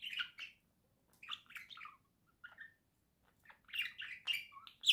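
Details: Home budgerigar pair in November 2024, chattering in bursts of buzzy, warbled chirps and squeaks, quiet at mid-clip, then a denser run ending in a sharp high squeak.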